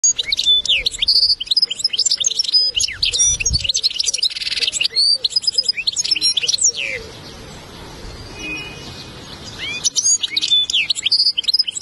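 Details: A European goldfinch tutor recording played as a song lesson to a young goldfinch: fast, liquid twittering with tinkling and buzzy notes, a brief pause, then more.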